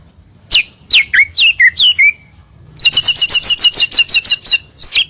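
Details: Lure song of a white-rumped shama used to bring rivals near: a sequence of sharp descending whistles followed by a fast, even rattle of bright high notes.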